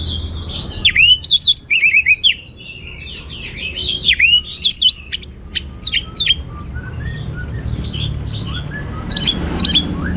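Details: Anis merah, the orange-headed thrush, in full gacor teler song with abundant material: a fast tumbling medley of downslurred whistles, sharp clicks and high twittering trills, delivered almost without pause.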